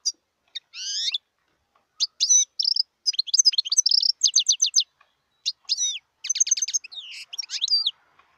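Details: Song of a wild European goldfinch, 2018. A rising nasal note opens a stream of bright chirps and clipped trills, with repeated ticking notes in quick series and a brief pause halfway through.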